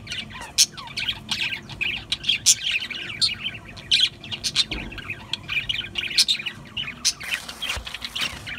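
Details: Several budgerigars chattering busily, dense overlapping chirps, squawks and warbles with frequent loud peaks, a brief rustling noise near the end.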